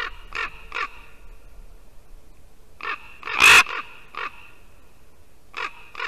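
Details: Ravens at a Latvian white-tailed eagle nest, calling at the female eagle, who drives one off with her wings: spaced groups of gravelly croaks, one very loud harsh rasping burst, then pauses and more croaks.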